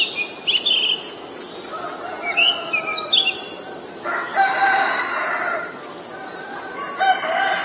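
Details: Oriental magpie-robin, a very common resident, recorded at Ubon Ratchathani, Thailand, on 23 December 2019 with a Nikon P1000. Clear, varied whistled notes, some sliding or bent, fill the first three seconds. Then a rooster crows loudly, with another brief crow near the end.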